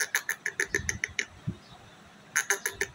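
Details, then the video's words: Pet Indian ringneck (rose-ringed) parakeet chattering or talking gives fast runs of harsh, clipped notes, about six per second, in two bursts with a pause between, with a few low thumps underneath. "Indian Ringneck parrot Natural Talking"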